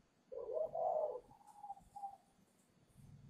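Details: Spotted dove at a northern Vietnam dove farm in Ba Vì, Hanoi, young voice breaking, going to a buyer on 10 November; one strong throaty coo tailing into two thin fading notes, with low rumbling at the end.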